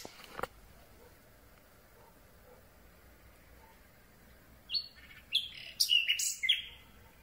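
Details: Common Nightingale singing in darkness from close range: a single faint click, a long pause, then a rising series of sharp, varied whistled and chattering notes.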